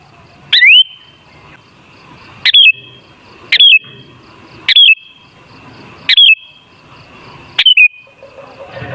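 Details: Sooty-headed bulbul song played as a lure to rouse bulbuls; six short whistled phrases repeated about every one and a half seconds, each a bright note falling stepwise, with a soft hum between.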